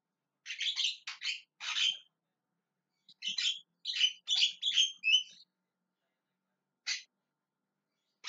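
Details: Javan myna calling loudly and repeatedly, a burst of harsh, chattering squawks high in pitch, then a pause and a few single sharp notes, in a quiet setting.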